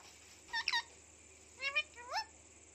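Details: Talking pet Indian ringneck parakeet: three short bursts of rising, nasal, speech-like syllables. The first comes alone, then two quick ones follow close together, in a quiet room.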